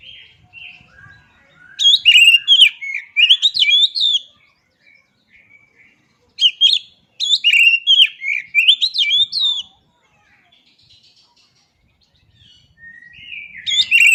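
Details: Oriental magpie-robin (kacer) song played to rouse silent birds: bursts of rich, varied whistles and sharp chirps lasting about two seconds, separated by quiet gaps with soft thin notes.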